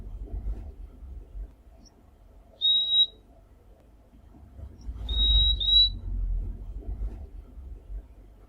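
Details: Purple-throated Euphonia (fim-fim) from the Brazilian Cerrado giving high, thin whistled notes: one short piping note, then after a pause a longer pair of linked whistles, with soft low rumble behind.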